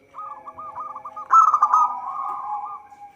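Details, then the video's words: Zebra dove of a local strain, song meant as a trapping lure: a fast run of staccato coos builds into a loud, rippling trill, then trails off in a softer, lower sustained purr. A faint steady hum persists underneath. "Perkutut lokal gacor suara cocok untuk pancingan."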